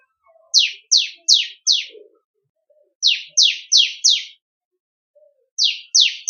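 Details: Ciblek kristal, the bar-winged prinia, singing for songbird training: high downward-sweeping chips delivered in rapid sets of four, with pauses between bursts and a few faint low ticks in the background.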